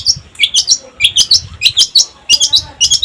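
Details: Long-tailed shrike in lively pancingan song, used to prompt other shrikes to sing: harsh, scratchy chattering notes in quick bursts of two or three, high-pitched and repeated steadily for several seconds with brief gaps.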